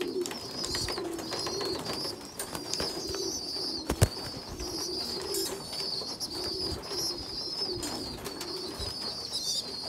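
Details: Feeding among young pigeons, a small weak one feeding bigger youngsters; almost continuous high whining squeals rise and fall over a low cooing murmur, with one sharp knock midway.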